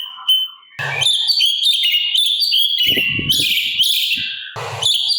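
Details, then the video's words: Sooty-capped babbler song with kasaran fills, meant for teaching other cage birds: a short whistle, then a dense, varied torrent of high warbling and chattering notes, with scattered low knocks. "Pancingan Cucak Cungkok Gacor Isian Kasaran Sangat Cocok Untuk Masteran Burung Agar Nembak Sangar"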